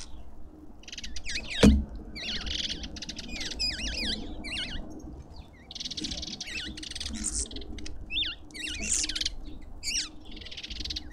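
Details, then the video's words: Lovebirds at a feeder in a suburban garden in Pretoria, South Africa, giving a busy stream of high, squeaky, wavering chirps with rasping buzzy bursts between them, plus one sharp knock near the start and a low background hum. "Lovebirds endlessly"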